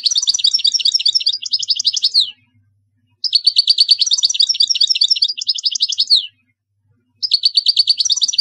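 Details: Goldfinch singing a tutor song for young birds: three long bursts of fast, bright twittering and trilled notes, each about two to three seconds, separated by brief pauses, in clean, quiet surroundings.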